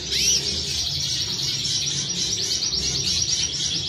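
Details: Canary song opening with a rising whistled sweep, then a steady high rolling trill of quick repeated notes continuing throughout, over a low rumbling hum.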